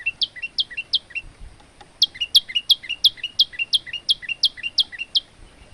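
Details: A male olive-backed tailorbird gives a short run of high chirps, breaks briefly, then launches into a steady, fast string of bright, repeated notes. Recorded to serve as tutor song for other birds.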